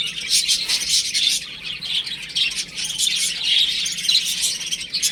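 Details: Baby chickens playing at home, a dense chorus of high, thin peeps overlapping continuously, with several louder bursts rising above the steady chatter.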